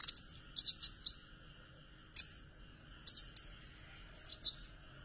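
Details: Trotol kumur kumur calling of a conin, played as a lure for a mute conin: bursts of sharp, high twittering notes and rapid trills, separated by brief quiet gaps.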